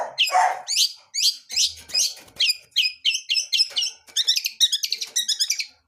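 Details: Long-tailed shrike, a wild bird of the blangkon type, singing gacor with full isian: varied scratchy slurred notes and chips in an irregular stream, speeding into rapid stuttering high trills toward the end.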